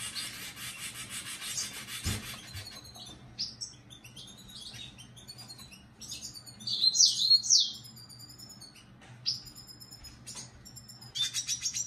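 A red siskin sings a fast, high twittering song of buzzy trills and sharp chirps. Bursts of dry rasping noise open and close the passage.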